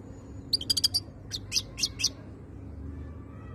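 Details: European goldfinch of the khaloui kind, 2022: a brief cluster of quick bright chirps followed by four evenly spaced sharp notes, then quiet, with a soft low background hum.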